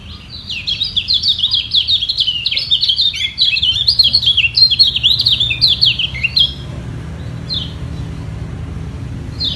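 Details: Two white-eyes in a song battle, one defending its top perch from a challenger below; about three seconds of rapid high warbling twitter, then quieter scattered chirps with a low hum beneath.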